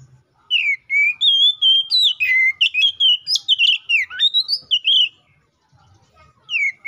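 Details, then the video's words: White-rumped shama song meant to provoke rival shamas into singing: a dense five-second stream of sweet whistles and quick slurred notes with a deep downward swoop, then silence and a final short whistle. "KACER GACOR NGEPLONG❗MEMANGIL LAWAN PALING AMPUH BUAT PANCINGAN KACER BIAR CEPET GACOR!"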